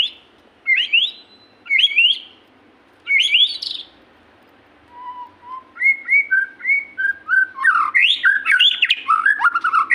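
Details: White-rumped shama in lively 'gacor' song: loud upward-sweeping whistles, a few low mellow notes, then a fast run of varied whistles and chatters that grows denser toward the end.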